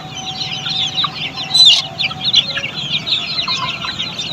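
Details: Group of Australorp chicks at a poultry farm, soft high chirping chorus with one louder, sharper peep standing out near the middle, over low rumbling noise.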